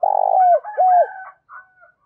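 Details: Spotted dove, giọng thổ style coo, played to lure wild birds: a long, low, throaty coo that bends downward, then a second falling note and a faint trailing tail, with no other sounds.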